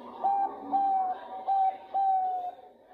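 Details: Female Bangkok-type zebra dove calling the male with four drawn-out, level cooing notes of medium pitch, the last the longest, separated by short pauses over a soft hum.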